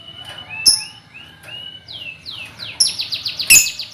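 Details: Young lovebirds calling together in a colony, meant as a lure for trilling: soft, rising then falling whistled chirps that speed up into a dense run of quick descending notes, with sharp clicks.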